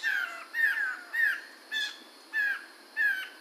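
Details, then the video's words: Repeated slurred, downward whistled notes from a Chinese hwamei, recorded in 2021, given roughly every half second in an even, steady rhythm with one harsher note in the middle. "Suara Burung Poksay Mantel atau Medan Tahun 2021"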